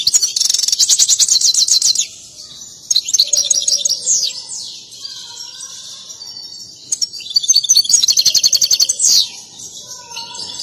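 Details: An excited goldfinch sings with its dance, a performance breeders prize: loud rapid buzzy trills lasting about two seconds, then scattered twittering phrases, then another long rattling trill burst.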